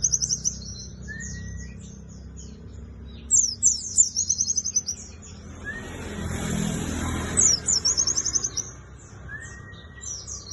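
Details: Contest white-eye, a Buxtoni type, delivering quick high chattering twitters in separate bursts, with short upslurred whistles between them and a brief wash of broadband noise in the middle.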